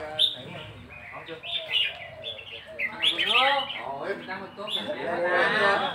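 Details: A red-whiskered bulbul sings phrases for counting: scattered chirps, then clear rising and falling whistled slurs near the middle, ending in a dense warble, with music playing softly.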